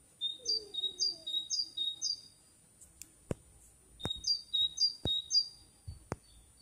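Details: Bird singing in May 2021: a quick run of four high two-part notes, each a lower whistle sliding into a higher one, then a short gap and four more. Sharp clicks cut in now and then.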